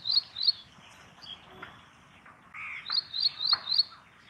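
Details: Calls of an ashy prinia, resident of gardens and farmland: bright clipped high notes, two at the start then a rapid run of four, over constant high hiss and low outdoor rumble.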